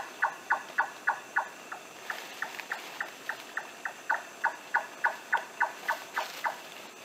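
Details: Timor Nightjar, an undescribed species vocally distinct from Large-tailed Nightjar, recorded on Wetar, giving a long, steady series of hollow, knocking chonk notes, three or four a second, against a quiet background hiss.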